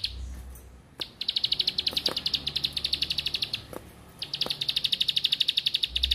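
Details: Bar-winged prinia, used as a lure to get quiet birds singing, delivers two long bursts of fast, evenly spaced high ticking notes, split by a short gap, with a few sharp clicks and low rumble behind.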